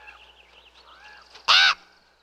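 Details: A single loud, rough raven caw, short and abrupt, rising out of a soft background of faint distant birdsong and chatter.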